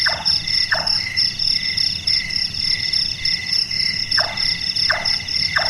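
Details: Large-tailed nightjar, known locally as burung tukang, a night-active bird whose call is likened to someone doing carpentry: short hollow knocking notes, some in quick pairs, over a constant loud high trilling of crickets or other insects.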